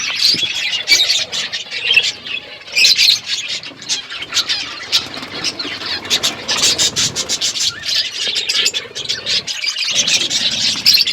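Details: Parrots eating food, February 25, 2024: steady high-pitched squealing chatter and rapid chirps from several birds, with clicky pulses and loudness swelling and dipping.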